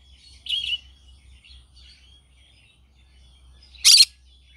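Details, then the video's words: A green-cheeked conure in the morning: one short raspy chirp, faint twitters, then a single loud grating squawk. "Green cheek conure singing sounds in the morning"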